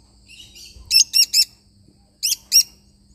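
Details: A lovebird parrot gives soft scratchy twitters, then a quick triplet of shrill, piercing chirps, a pause, and a final pair of the same sharp notes.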